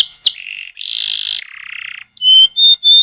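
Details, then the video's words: Rolling canary song serving as a lure for young canaries: a downslurred note, buzzy rolls stepping between low and higher pitches, then three loud pure whistles. "Pancingan KENARI GACOR DURASI Panjang Ngerol"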